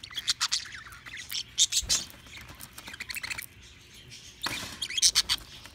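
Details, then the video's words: Pet budgerigars eating millet give bursts of bright, high chirps and scratchy twitters, clustered in quick runs with short pauses between them. "Parakeets: Snowflake and Huey loving millet"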